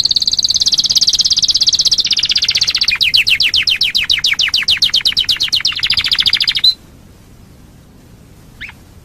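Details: Canary song used as a lure to get other canaries singing: a sustained high trill breaking into a series of quick rising-falling notes, ending abruptly, followed by near silence and one faint chirp.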